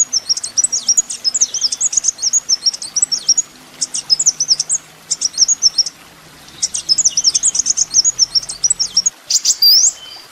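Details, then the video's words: Kolibri ninja sunbird singing on a songbird training master: extended bursts of very high, sharp, jumbled twittering notes, with pauses between, ending in a quick rising whistle. "masteran mewah full isian kolibri ninja"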